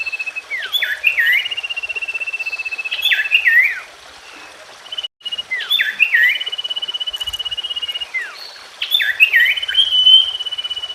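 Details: Common iora singing: bursts of looping, twisting whistles run into long level pulsed trills, the phrase recurring three times, with a brief gap of near silence in the middle.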